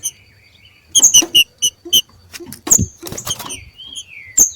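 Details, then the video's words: Wild green-winged saltator males competing: a quick run of bright ticking notes followed by sweet falling whistles and sharp snaps, plus thumping sounds. "DOIS trinca ferro MACHEANDO na NATUREZA"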